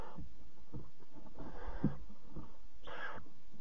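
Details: Barn owl family in a nest box at night, 26 July 2017, the mother carrying a bird as prey for chick four; a breathy hiss near the middle, then a louder, sharper screeching hiss, with faint rustles.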